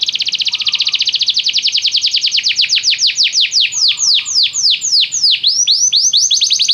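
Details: Canary song for training a canary to sing immediately: a long rolling trill of repeated high notes that spreads into deeper, slower descending sweeps toward the close.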